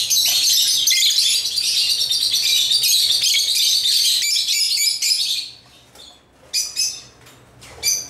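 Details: Caged pet African lovebirds playing with toys pour out a steady, dense high twittering for about five seconds, then fall quiet apart from a few sharp isolated chirps near the end.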